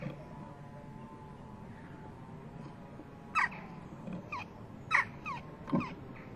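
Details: Young western jackdaw leaving its nest box, 12 June 2015 at 11:19, begging from parents arriving with food; after a quiet start, several short, falling, harsh calls come in a loose cluster near the end.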